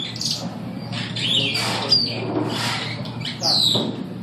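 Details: Superb starlings singing at the St Louis Zoo on 15 September 2012: scattered high squawks and short descending whistles, with a steady low hum underneath.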